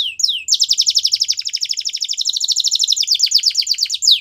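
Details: Singing canary for training young canaries: a couple of downslurred notes open into a long, even, rapid rolling trill of bright high notes, several per second, closing with another sweep.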